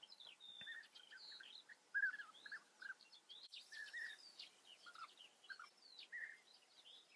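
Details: European bee-eaters calling at their Eifel breeding colony in Germany, scattered liquid rolling notes and higher chirps from several birds, moderately distant, with a soft background hiss.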